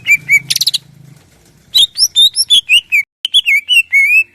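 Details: Caged greater green leafbird singing in the morning to spur other birds to sing, delivering quick runs of bright whistled notes, a short harsh rattle, then a lively string of clear slurred whistles.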